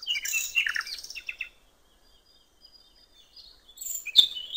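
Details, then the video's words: Common nightingale beside a river, singing a rich, warbled phrase of mixed whistled notes, a quiet pause, then another sharp phrase. "canto del ruiseñor"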